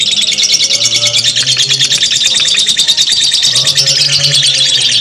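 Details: Long ngekek chatter from a lovebird: a continuous stream of shrill, rapid chirping notes, steady and unbroken throughout, with a faint low hum in the background.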